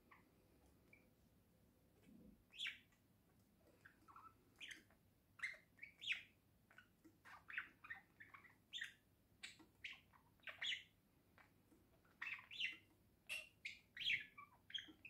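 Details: Pet budgerigar on a house roof, giving a lively stream of short chirps and squawky notes, irregular bursts about every half second with brief pauses, over a faint low hum.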